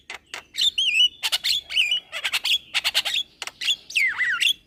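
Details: Young Javan myna in lively song with head-bobbing: clear whistled notes with wavering inflections, mixed with clustered rasping clicks, closing on a loud, looping whistle that dips and rises.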